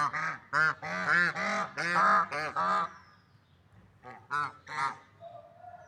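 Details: Swans honk in a busy, overlapping series of nasal notes, then give several softer, more distant honks. A faint steady tone is heard at the end.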